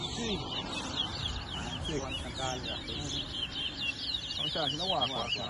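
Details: Large-billed seed finches (towa towa) compete in a bird race at a bird ground in New Amsterdam, Guyana, 2022. Rapid, overlapping whistled and trilled phrases run continuously high in pitch, with people murmuring in the background.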